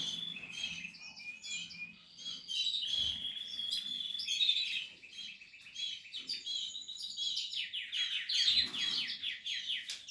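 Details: Portuguese harlequin canaries and their nesting chicks in a breeding setup: steady high tweeting and fast trilled runs, ending in a rising burst of rapid chirps, with faint thumps in the background.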